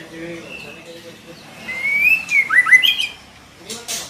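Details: Female white-rumped shama calling to draw a male into song: a long rising whistle followed by quick warbled, slurred notes, then a burst of rustling noise near the end.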